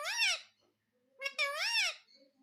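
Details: Pet parrot talking indoors: two loud, richly harmonic phrases that rise and fall, separated by a short pause, with faint softer sounds afterwards.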